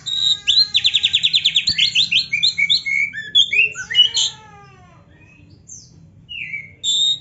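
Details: Training recording of white-rumped shama song with full, varied filler phrases. It opens with a rapid, steady trill of repeated notes, then moves into assorted whistled and chattering phrases. A near-silent gap follows before short sharp notes resume.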